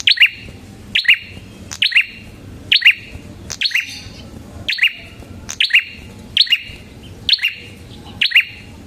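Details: Red-headed prinia in full song, used as a lure and a master song for training birds: crisp, clipped chirp phrases repeated roughly once a second in a steady, insistent rhythm against a quiet background.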